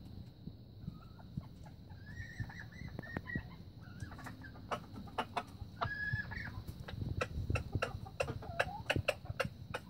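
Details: Young red junglefowl recorded in 2019 giving faint, wavering high whistled phrases in short segments, with a dense stream of sharp clicks and taps and low rumbling noise throughout.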